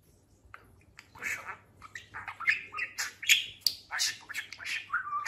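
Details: Captive talking budgerigar, freshly molted and gotten fat, rattles off a rapid run of squawky, chirping syllables that grow louder toward the end, over a faint low indoor hum.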